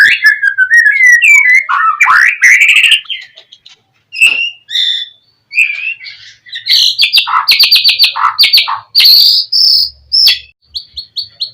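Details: White-rumped shama in continuous gacor song, used to lure other shamas into answering: flowing varied whistles, a pause with isolated notes, then rapid repeated sharp high notes and chattering phrases.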